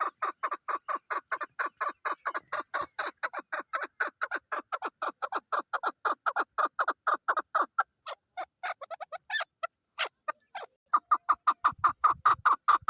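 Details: Steady run of raspy chuck notes from a female chukar partridge, Pakistan's national bird, speeding up into a dense rhythm, briefly breaking into irregular notes, then resuming.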